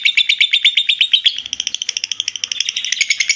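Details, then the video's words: Lovebird ngekek chatter, used to school other birds: a brisk series of sharp, high, grating notes, first blended together, then breaking into more distinct separated pulses. "Love bird ngekek 10 menit"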